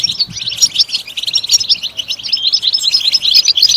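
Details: {'caption': 'Goldfinch singing, played to encourage other goldfinches to sing, a rapid, unbroken twitter of bright, high chirps and trills with no pauses.'}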